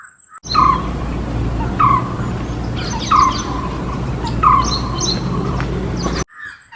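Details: White-cheeked barbet (Psilopogon viridis) call: four low, hollow, slightly rising notes, one roughly every second and a half, over a steady low background rumble; a fruit-eating bird that is hard to spot among green leaves.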